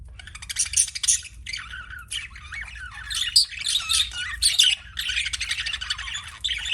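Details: Budgie chattering busily, high twittering and squeaky notes tumbling together in dense bursts with brief pauses, rising in loudness toward the end, low steady hum beneath.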